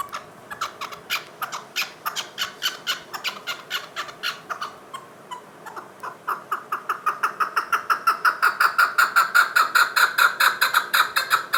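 A chukar partridge gives a rapid, harsh clucking series, about three notes a second, which quickens and grows louder toward the end.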